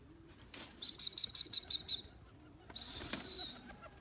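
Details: A female grey francolin (teetar) gives a quick run of about seven high, clear whistled notes, then a longer falling whistle, with sharp flapping or rustling bursts between them.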